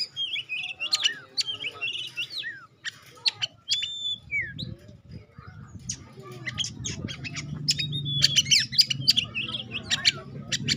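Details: Pastol-type Oriental magpie-robin song used as a lure for other magpie-robins: sharp, varied high whistles and clicks, with a low rumbling background growing louder in the second half.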